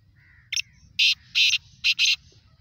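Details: Black francolin, called kala teetar, giving a rasping call of about four harsh, grating bursts, each under a third of a second long. A faint thin note comes first, against a low background hum.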